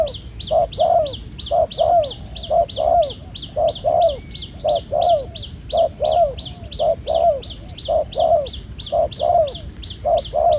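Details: Spotted dove, a field-caught bird with black neck spots, cooing well during ground-decoy trapping: low hollow paired coos, a short note then a longer falling one, repeated about once a second, with faint high rhythmic ticking behind.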